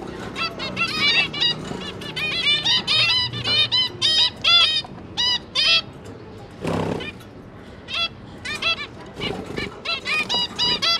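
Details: Zebra finch parents feeding three newly hatched juveniles in captivity; dense runs of short nasal honking calls with stacked overtones, rapid and overlapping, broken by a soft rustle near the middle, then sparser calls resume.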